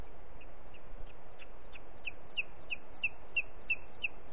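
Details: Booted eagle (Hieraaetus pennatus) in Els Ports Natural Park, Catalonia, on 4 July 2021 at 13:39, calls in a fast series of high, thin whistled notes, about three per second and growing louder, over a low wind rumble.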